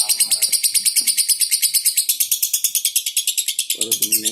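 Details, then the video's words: Lovebird chattering nonstop in high, harsh pulses, roughly three a second, evenly spaced, with a brief low rumble of another sound near the end. "Burung love bird durasi 2 menit tanpa putus!!"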